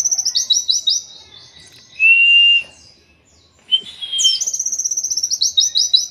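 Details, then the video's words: Training song of an oriental white-eye in the 'endok tato' style: a rapid high chattering trill, a flat whistled note, a brief rising whistle, then a long series of quick repeated buzzy notes to the end. "KILLER ENDOK TATO•MASTERAN BURUNG PLECI LEGENDARIS"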